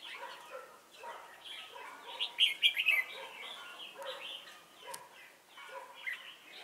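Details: At Chùa Hương on 28 November 2017, a red-whiskered bulbul kept as a trapping decoy sings rapid, liquid chirping phrases, with a loud twittering flourish midway and softer warbles around it.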